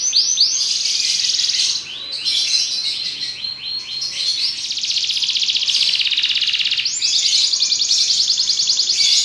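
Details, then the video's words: Belgian canary singing: long rapid trills and rolling tours at high pitch, shifting between buzzy rattles and fast ringing phrases, with brief descending sweeps near the start; continuous and loud throughout. "Canário Belga cantando"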